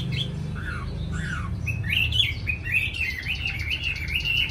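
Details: Hwamei, a caged Chinese songbird from Hanoi known as an eager singer. Two falling whistles open the phrase, followed by a continuous chattering warble of quick wavering notes over a low background hum.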